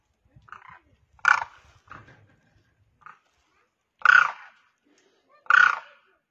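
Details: Demoiselle crane, locally koonj or karkara, one grounded bird calling others in flight: a few quieter croaks, then three loud, harsh, rolling calls spaced over several seconds in quiet surroundings.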